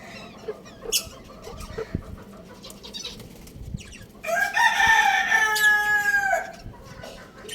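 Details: A little rooster playing on a roof gives scattered high chirps, then a strained harmonic crow that holds steady for about two seconds before cutting off.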